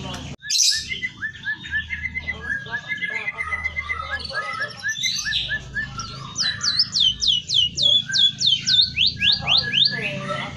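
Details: A white-headed munia sings a loud, busy medley of chirps and twitters, then a fast run of high, sweeping whistles about three per second, mimicking canary and white-rumped shama phrases.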